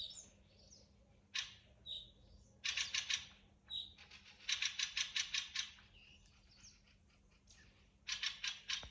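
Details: Thrush song in woodland: clear whistles mixed with series of four to six sharp notes repeated in quick succession, with pauses between phrases and quieter twittering throughout. A low steady hum runs beneath.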